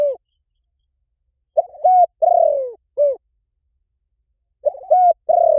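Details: Spotted dove call intended to attract wild doves. Repeated mellow phrases of short coos around a long, slowly falling coo, recurring about every three seconds with silence between.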